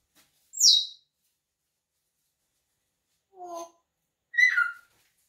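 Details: Male African grey parrot playing on a little swing gives three separate calls in a quiet room: a sharp, high whistle sliding downward, a short lower hooting note, then a buzzy falling squawk.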